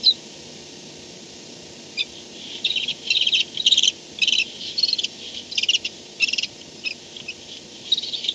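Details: Barn owls on a nest camera at 4:38 am, 2-10-16, as one returns to the nest; after a quiet start, harsh high chittering bursts about twice a second, uneven in length, with a soft background hum.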